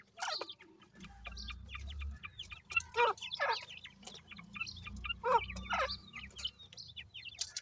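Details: Grey francolin chicks, called teetar, peep while feeding and playing: high, downslurred chirps come in small clusters, with a low hum in the background and a few sharp tapping sounds.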